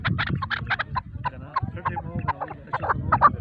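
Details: Male chukar partridge giving a run of short, sharp clucking notes repeated several times a second, with low background rumble and a steady noise floor beneath.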